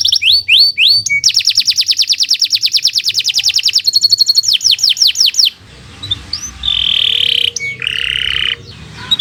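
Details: Long, high-speed canary tutor song for training other birds: quick slurred whistles, an extended rapid trill with descending sweeps, then softer sustained whistled tones over a light background hiss.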